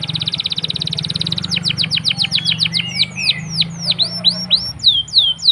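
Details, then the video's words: Canary singing in a long rolling song meant as a lure to prompt silent canaries to sing: a fast buzzy trill of rapid repeated notes, then a run of sharp descending whistled sweeps. "Pancingan Kenari Gacor Ngeroll panjang!! Buat Kenari Macet Bunyi pun Langsung Respon"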